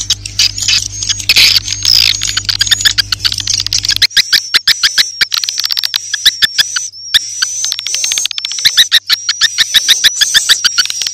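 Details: Edible-nest swiftlet lure sound for new swiftlet houses: a low hum under shrill twittering at first, then a long run of fast, regular clicking chirps below a thin high whistle.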